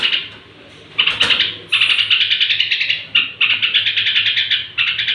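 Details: Straw-headed bulbul singing at bedtime, a sound said to stir up other bulbuls; after a second of quiet, bright rapid pulsed notes run in long phrases broken by short gaps.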